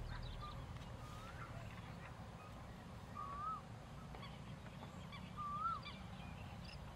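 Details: Pheasant-tailed jacanas in non-breeding plumage, a feeding flock at Sam Roi Yot National Park: a few nasal, wavering tonal notes that rise then dip, spaced a second or two apart, over a steady low rumble.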